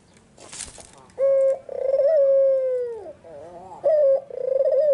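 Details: A brief rustle, then a white Barbary dove with red eyes sings in the afternoon: a steady short coo and a long vibrating croon falling at the end, then the pattern begins anew.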